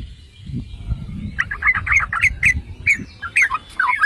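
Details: Yellow-vented bulbul song meant to stir other bulbuls into singing; after a second of low thumps and rustling, bright bubbling notes begin, delivered in short rapid clusters about twice a second.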